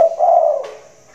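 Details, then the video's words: Spotted dove cooing in a hanging cage in the rainy season: one deep, drawn-out hollow coo that fades away. "tekukur suara besar, lagi manggung di sangkar layang"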